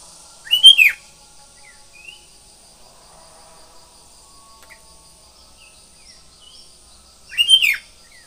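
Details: Sooty-headed bulbul singing in the morning: two short bursts of bright, quickly falling and rising whistled notes about seven seconds apart, with faint scattered chirps and a steady high hiss between them.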